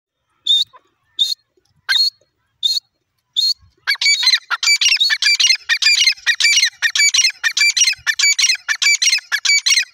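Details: Francolin calling: five spaced, sharp high notes, then a fast run of loud, scratchy, chattering notes repeated several times a second for the rest of the clip, in an otherwise quiet setting.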